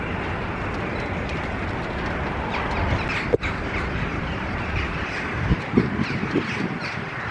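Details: Rooks in trees early in the morning on 13 October 2023, in rain, with hooded crows also present; hoarse cawing calls scattered through a steady hiss of rain, a few louder harsh caws near the end.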